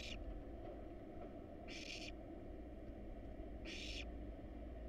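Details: Hungry wild barn owl nestlings in a monitored nest box, eating a rat and a rabbit, produce harsh hissing snore calls, two full bursts about two seconds apart after a clipped one, over a low hum.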